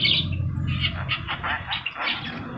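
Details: Javan myna, a yellow-eyed bird singing actively, used as a master recording to train birds to sing: harsh, squawky, buzzy bursts repeated in quick succession, with a steady low hum beneath.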